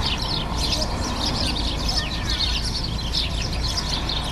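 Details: Sparrows chirping in a busy chorus of short, overlapping high chirps and twittering notes with a few thin downward slurs, over a steady low rumble of background noise.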